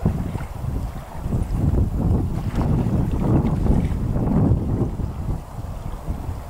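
Strong wind buffets the microphone beside a lake on a February day, producing a steady low rumble throughout.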